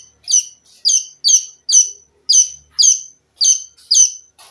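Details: Olive-backed sunbird song used to train cage birds: sharp, scratchy downslurred high notes repeated roughly every half second, rhythmic and insistent, eight in a row.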